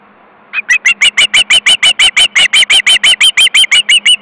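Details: Osprey chick screaming on its nest in Estonia, 22 August 2012 at 13:18, with siblings and parents at the nest: a steady series of sharp, strident squealing notes, about three per second, starting after half a second and continuing evenly.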